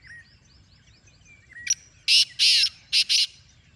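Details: Black francolin uttering a loud, harsh, rasping phrase: a short click-like note, two long grating notes and two quick ones, preceded by thin chirps and whistles of other birds.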